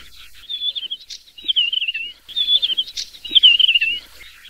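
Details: Desert wheatear delivering four brief warbled phrases, each a jumble of squeaky, slightly descending whistles with a scratchy note between them, repeated roughly every second.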